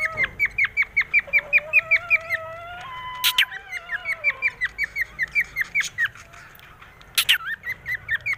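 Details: Cockatiel, kept as a pet and in a happy mood, repeats quick bright whistled notes in steady runs, with longer drawn-out whistles woven in and two sharp noisy bursts.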